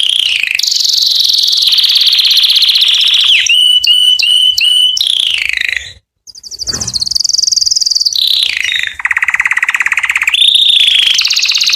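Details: Canary song to attract females for mating: continuous, loud, varied tours of rapid rolling trills, a clicking stuttered passage, a brief break, then higher trills dropping into lower buzzy rolls.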